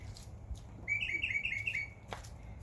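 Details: In a backyard in summer, a bird gives a quick run of about nine bright, high chirps in under a second, over a low background rumble.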